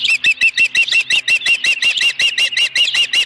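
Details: Nesting osprey with a live fish, 26 May 2020, late afternoon: a steady, fast string of high whistled chirps, about three per second, with no pauses.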